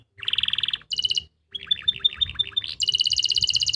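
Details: Canary song recorded in Pati, Central Java as a master for training silent or juvenile canaries: quick high trills in short rolled phrases, alternating between pitches with small gaps between them.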